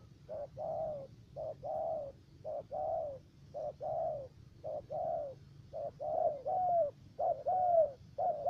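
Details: Spotted dove decoy for trapping in the U Minh area of Ca Mau, Vietnam, with a three-note voice. It gives steady repeated coos, roughly one per second, each a brief note followed by a drawn-out arched one that grows louder toward the end.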